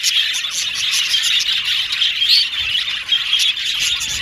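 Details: Male violet budgerigars in an aviary colony, chirping together in a dense, continuous high-pitched chatter with scattered sharp squeaks and short rising whistles over a steady hiss.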